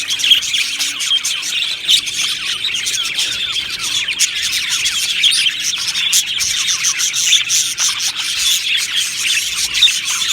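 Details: Budgerigars in a lively group, their high twittering and warbled chirps overlapping into a steady, busy chorus, with occasional sharper squeaks standing out.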